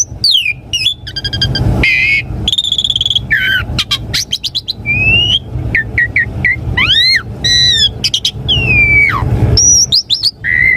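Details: Asian pied starling song played to prompt caged birds to answer and sing: a rich varied medley of whistled downslurs, rising sweeps, rapid chattering notes and harsh bursts, with low background rumble.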